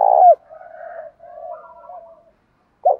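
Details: Spotted dove coo for rousing captive birds to call: one loud, rich coo note at the start falling at its end, then a quiet drawn-out murmuring coo, and a loud note cut off at the close.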